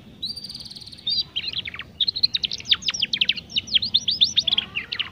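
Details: Juvenile canary practising its song, played to coax young canaries into singing quickly. It opens with a thin, level buzzy tone, then breaks into quick chattering runs of sharp, downward-sweeping notes.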